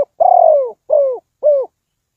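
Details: Decoy spotted dove for bird trapping coos in a clean recording: one long, soft, slightly quavering coo followed by two shorter falling coos, evenly spaced, then silence.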